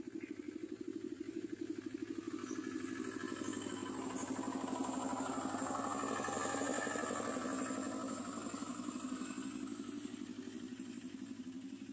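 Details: A rattling engine drone, like a passing motorbike, swells and fades with a faint high hiss above it; no animal calls stand out.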